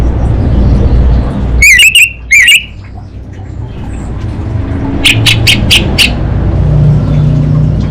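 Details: Orange-headed thrush (anis bata) from North Bali, Singaraja, singing in a 'kabel konslet' style for bird-training therapy: two loud harsh whistled bursts, then after a pause a quick run of five sharp high notes over steady low hum.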